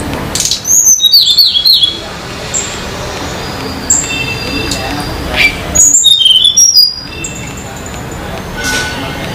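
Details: Sunda laughingthrush singing in the wild near Banyuwangi, Indonesia; two lively phrases of high, quick whistles that jump and fall in pitch, with softer isolated notes and background hiss between them.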